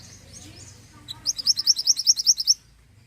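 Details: Pied bushchat in full song, giving a single sharp note and then a rapid, loud, high trill of about twelve evenly spaced chirps over roughly 1.3 seconds, ending abruptly into quiet.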